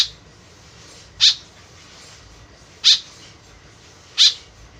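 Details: Lure call of a tame white-breasted woodswallow calling actively: three harsh, buzzy high notes spaced roughly one and a half seconds apart, with a faint low background drone.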